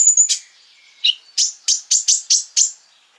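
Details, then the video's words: Energetic Crimson sunbird song used to provoke other sunbirds: a brief high trill, a thin whistle, then six evenly spaced, sharp downward-slurred chips, each about a quarter second apart. "PANCINGAN KONIN GACOR FULL BUKA PARUH BIKIN KONIN EMOSI KOLIBRI LAIN !!"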